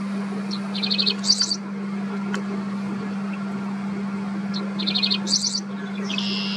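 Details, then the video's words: Dickcissel singing in the American Midwest, perched among fence posts and bushes: two phrases about four seconds apart, each a few sharp chips, a quick stuttered run, then dry, buzzy high notes, all over a steady low electrical hum. "Singing Dickcissel"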